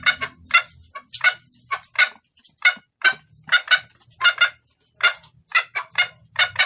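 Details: Female red junglefowl calling to the male in a clear voice, suited to luring males: a steady run of short, harsh clucking notes, some paired, repeated several times a second over a quiet background.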